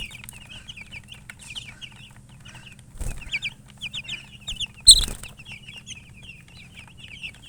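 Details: Baby chicks chirping in a quiet setting: clear, short, high peeps in small clusters with brief gaps, interrupted by two sharp clicking knocks near the middle.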